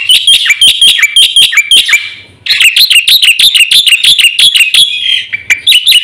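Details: Black-winged myna singing for a lure and master recording aimed at caged birds; rapid strings of piercing, ringing chirps, a short silence, then an even denser chattering run and a final few notes.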